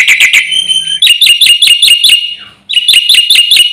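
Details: A Javan pied starling's full song, meant to rouse neighbouring birds: quick harsh notes, a held high whistle, then a steady series of looping whistled phrases, a short fading pause, and more whistles.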